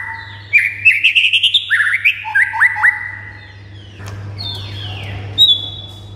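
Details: Murai batu, the white-rumped shama, singing to provoke other shamas into answering: a rapid rising run of chattering whistled notes, then sharp dropping sweeps, followed by a few fainter downslurred whistles and a steady low hum.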